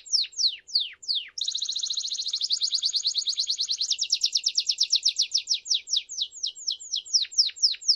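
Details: A crested Belgian canary calls in song: a few steep descending whistles, then a long rapid trill of bright chirps that slows back into separate downward-sweeping notes.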